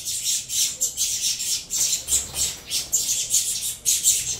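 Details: Begging din of captive saffron finch chicks at feeding time, bred from a Venezuelan-line cross: dense, scratchy high hisses pulsing in short bursts with brief gaps between them.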